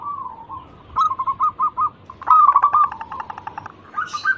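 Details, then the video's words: Local zebra dove lure song meant to prompt other birds to answer: faint low cooing, then a row of distinct rounded notes, a louder rapid rolling burst, and a final rising note. "Pancingan burung perkutut lokal gacor pintar merayu cepat bunyi"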